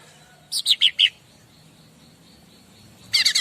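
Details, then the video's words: Bar-winged prinia master song meant to prompt any bird to respond: four loud, high, slurred notes in quick succession, a pause, then another fast burst of bright notes. "Burung Apapun Pasti Nyaut Masteran Cica Ranting"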